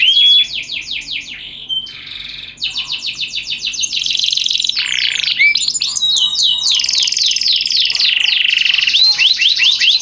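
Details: Canary master song for teaching other canaries, in the Indonesian 'cengkok mewah' and 'cengkok unik' styles: dense, fast high trills and rattling phrases, sharp upslurred whistles and buzzy rolls that change every second or two, continuous and loud throughout.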